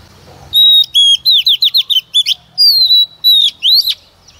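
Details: Song of a female Oriental magpie-robin used to prompt males into singing: steady whistles, a rapid chain of slurred downward notes, then more drawn-out whistles and a final rising squeak.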